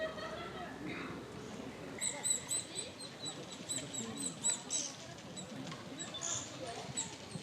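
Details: Japanese pygmy woodpecker chick close to fledging, poking its head from the nest to be fed by a parent in a park, 15 May 2022: rapid run of thin, very high squeaky notes starting after two seconds, over faint murmuring voices.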